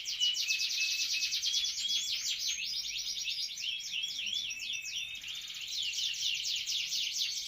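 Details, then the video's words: Captive canary singing steadily: a fast, continuous high-pitched warble of rapid rolling trills and sharp chirps, repeated notes several per second, with faint low background noise. "Canary gacor"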